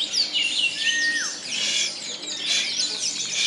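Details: Competing orange-headed thrushes (anis merah), numbers 13 and 22, at a bird singing contest. Shrill, busy song of quick whistled slides and scratchy twitters, with one clear downward-bending whistle near one second. Song fills nearly the whole stretch.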